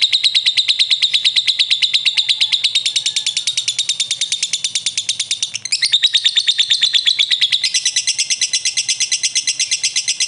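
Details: Caged prospect lovebird answering another lovebird with a long ngekek: a fast, unbroken chatter of sharp, high chirps, about eight per second, running the full ten seconds with a brief stumble near the middle.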